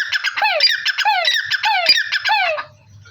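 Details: Dense, rapid black francolin calling, known locally as Dakhni or Bholla teetar: harsh buzzy notes with quick rising-then-falling strokes packed closely for over two seconds before stopping, leaving faint low hum.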